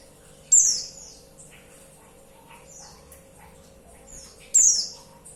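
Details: A female white-eye calls to draw in a male. Two strong, very high descending notes come four seconds apart, with several faint thin notes in between.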